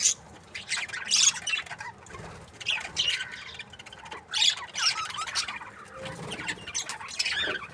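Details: Budgerigar breeding pair, called happy, giving softer scattered squawky chirps in short bursts every second or two over a quiet background.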